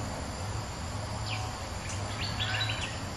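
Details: Bulbul, a resident bird answering a rival, giving a burst of short bright chirped notes, some sliding up and down, bunched into the second half over a steady low hum.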